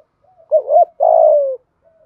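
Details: Spotted dove, a kept songbird, delivering one 'thúc gù' phrase in 'giọng thổ' style: a wobbling double hoot followed by an extended rough, throbbing coo easing lower in pitch.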